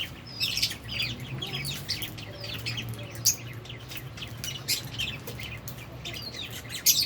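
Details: Harsh high twittering from albino and Fischer's lovebirds at food and play, chirps crowding in rapid uneven clusters over a low steady hum.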